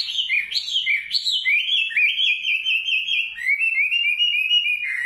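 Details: A nightingale sings a loud, flowing whistled warble, first with a few sharp upward-swooping notes, then settling into an even, rapidly trilled rolling phrase.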